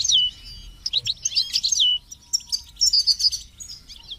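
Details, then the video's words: Goldfinch song for training and encouraging goldfinches, with chicks chirping; liquid twittering phrases of slurred descending notes, a brief pause, then rapid high tinkling chirps in quick succession. "Goldfinches and Chicks Chirps"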